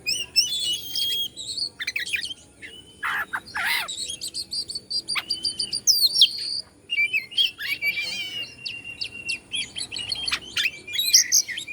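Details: Oriental magpie-robin (kacer) of the Bandung type, singing to provoke other magpie-robins: a dense, varied run of sharp whistles, buzzy trills and quick rising and falling notes, with short pauses between bursts.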